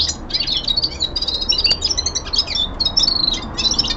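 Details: Young male common linnet at home in winter descant song: clear whistled notes mixed with quick chirps, delivered in short phrases separated by brief gaps.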